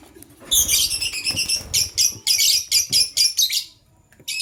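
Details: Male lovebird choosing a partner, chirping in the morning: a rapid run of harsh, buzzy, high-pitched chirps in dense bursts, about ten in three seconds, then a pause and one more burst.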